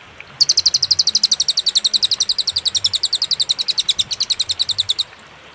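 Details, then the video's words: Cililin singing on a master recording used to tutor songbirds, clear and with pauses: one continuous burst of very fast, high, sharp chirps lasting about four and a half seconds, framed by brief quiet. "masteran suara, burung cililin suara jernih & berjeda"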